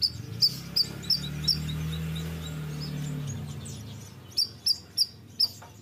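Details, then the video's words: Bayeman calling eagerly, with short, piercing high chirps spaced out at the start and end, and a low droning hum in the middle stretch. "BURUNG BAYEMAN GACOR"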